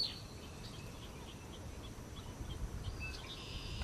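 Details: Barn swallow giving a loose series of faint, high chirping notes, some quick and scratchy, scattered through the recording with one clearer note near the end, over a steady low rumbling background.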